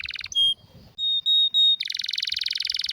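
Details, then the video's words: Canary with a rare, strong song, offered as a tutor for other canaries: a buzzy rapid roll, then pure high whistled notes held in three short bursts, then a long fast rattling trill. "Canário com Canto Raro e Forte – Ótimo para Seu Mestre Canário HD - CANARY SOUND MELODY"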